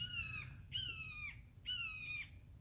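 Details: Red-tailed hawk heard from a backyard garden at Thanksgiving, giving three drawn-out, slightly falling, harsh screams, each about half a second long and close together, over a low background rumble.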